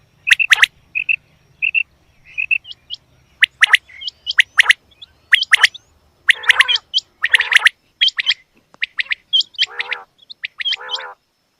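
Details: Female quail calls: clusters of sharp high chirps with gaps between them and occasional longer, rough, buzzy notes. A faint low hum is heard at the start.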